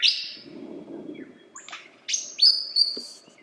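A lyrebird sings a fast run of varied, loud phrases: clear high whistles, sharp downslurs and quick chips, with a low rumble underneath at the start.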